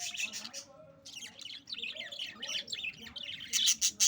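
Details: Budgerigar colony in full chatter: rapid high chirps and warbles from many birds overlapping continuously, a brief lull near the first second, then louder sharp calls toward the end over a faint hum.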